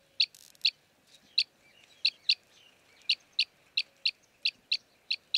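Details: Arabian green bee-eater, common breeding resident of Saudi Arabia, recorded in Jeddah: high clipped chirps at about ninety per minute, unevenly spaced, over soft background noise.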